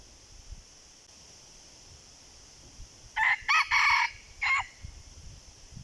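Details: Red junglefowl in the wild responding to a decoy gives a single crow after several quiet seconds: three quick harsh bursts followed by a separate shorter final note, with a faint steady hum and low rustling behind.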